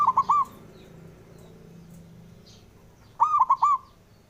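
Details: Two short bursts of bouncing, trilled cooing from a male zebra dove, the call used to stir silent birds into song. Each burst has three or four clipped notes, separated by a quiet gap of about three seconds.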